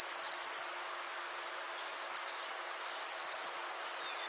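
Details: Green iora, the bird played to lure others, giving short high thin whistled notes that slide downward, in spaced bursts of two to three notes with pauses between, over a steady faint hiss.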